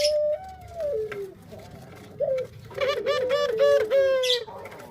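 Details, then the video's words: A male Barbary dove sings pelung style: a long descending coo, a short pause and a brief note, then a rattling burst of pulses flowing into a sustained tone. Other chirping is mixed in. "Suara Burung Puter Pelung Jantan"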